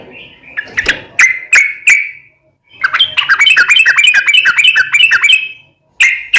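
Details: Yellow-vented bulbul singing a long rapid chattering ropel panjang, played to provoke birds into singing back; a few separate sharp notes, then a long bubbly rolling phrase of quickly repeated warbled notes.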